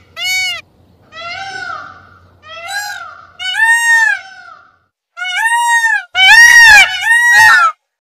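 Indian peafowl giving loud, nasal, wailing calls that rise then fall, about seven in eight seconds, the last ones loudest; a faint low hum underneath early on.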